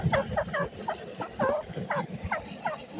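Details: Black francolin, called dakhni teetar or jungle teetar, in Pakistan, giving a series of harsh, hooked notes that slide downward, repeated about every half second in short bursts over low background rumble.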